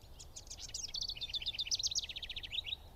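A House Wren's bubbling, complex song of rapid high chattering notes that speed into a fast trill, over a steady low rumble of background noise.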